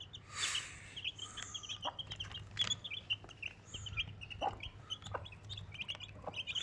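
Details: Desi chicken, a mother hen with four baby chicks; steady high peeping of chicks in short repeated notes, with occasional lower clucks and clicks and light handling noise.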